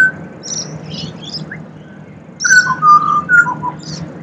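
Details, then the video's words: Pied butcherbird song in Australia: a brief upslur, then a phrase of fluty whistles falling and holding, accompanied by scattered high chirps of other birds over low background noise. "Serenaded by Pied Butcherbird"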